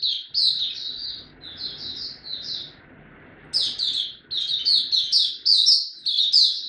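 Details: High, sweet twittering song of a caged Oriental white-eye: a run of quick slurred chirps, a pause of about a second, then a denser, louder burst of warbled notes.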